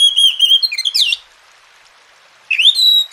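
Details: Oriental magpie-robin, known locally as kacer, singing in captivity for bird training; a sustained high whistle ends in a quick downward flourish, silence follows, then a new upslurred whistle begins.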